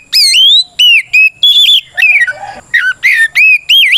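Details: Loud fighting song of an oriental magpie-robin, 'gacor ngeplong' type used to provoke other birds: rapid, piercing whistles that swoop upward, with wavering and buzzy notes in the middle, almost without pause.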